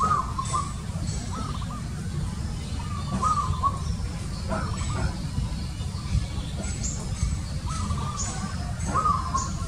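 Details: Zebra dove uttering rolling, trilled coo phrases at uneven intervals, mixed with sharp clicks and faint high notes over a continuous low-pitched rumble.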